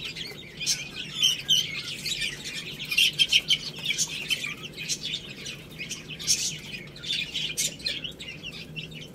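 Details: Young chicks eating rice, a chorus of high, short overlapping peeps with frequent sharp clicks from pecking, over a faint low hum.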